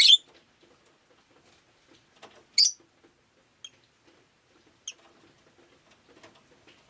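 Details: Rosy-faced lovebird on a rainy day calling with sharp shrill chirps spaced a couple of seconds apart, the later ones softer, over faint ticking background noise.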